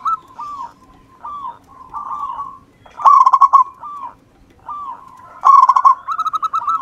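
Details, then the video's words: Zebra dove from local wild stock singing as a lure: gentle looping coos building into two loud quavering rapid trills, ending in a run of even bubbling notes. "perkutut lokal alam. Gacor"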